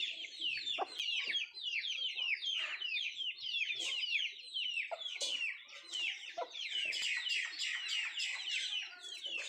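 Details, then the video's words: Nattu kozhi, native country chickens, while eating food: loud, crowded high peeping, each note a quick falling whistle, many birds calling at once over soft clicks of pecking. "Nattu kozhi Food eating and sound effect"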